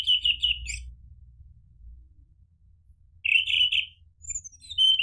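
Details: Orange-headed thrush used as a lure to make caged birds respond and sing 'ngeplong': a short tumbling warble, a pause of about two seconds, then a longer rich phrase followed by a few thin whistled notes.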